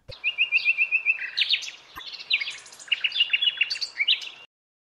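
A common house martin gives a quick run of dry, chirruping twitters, high and scratchy, tumbling along for about four seconds without a steady beat.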